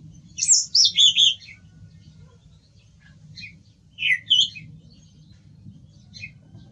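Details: A song thrush sings a rapid cluster of high, squeaky notes, falls silent for nearly three seconds, then gives a shorter pair of sharp notes, with a faint low rumble underneath.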